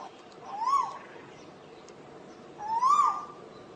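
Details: Two softer, more distant rising whistles from an Asian koel, about two seconds apart, partly masked by steady background noise.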